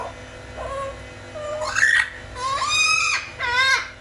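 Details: Talking blue-fronted amazon parrot, a pet: three or four voice-like syllables that climb in pitch, ending with two longer, bright, strained phrases, heard indoors.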